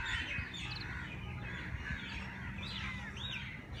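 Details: Early-morning birds at Jilani Park race course in Lahore. Several overlapping chirps and upward-sweeping whistled notes rise above a steady low hum of distant city noise.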